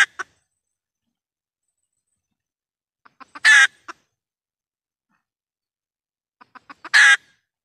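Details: Decoy red junglefowl hen call, used to lure wild junglefowl into trap cages and speaker traps: a few soft clucks, then two loud harsh squawking calls about three and a half seconds apart, with silence between.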